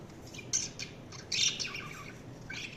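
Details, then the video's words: Budgies giving harsh, high squawky chirps in short clusters, a loud burst in the middle, over a noisy low background. "Budgies Chirping sound"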